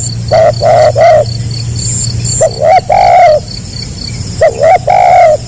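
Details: Spotted dove, locally tekukur, singing in the gagap rapat selang nguku manner. Three quick stuttered coos open the clip, then paired hooked notes with drawn-out soft coos. Continuous high-pitched insect trilling and a low hum sit underneath.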